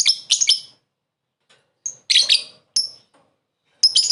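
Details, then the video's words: Lovebird calling a rival, short laughing ngekek call used as a lure: bursts of shrill, high chattering notes, a few quick clusters separated by silent pauses, loud and close with no background sounds. "Suara burung lovebird memanggil lawan + ngekek pendek mantap buat pancingan"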